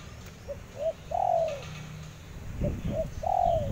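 A spotted dove gives two soft, low coos in a row, each phrase of two short notes followed by a longer, falling hoo, over faint background rumble.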